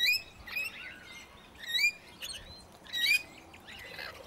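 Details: Red-rumped parrot in south-eastern Australia giving short, bright chirruping whistles in quick bursts, high-pitched and repeated about every second or so, with a faint background hiss.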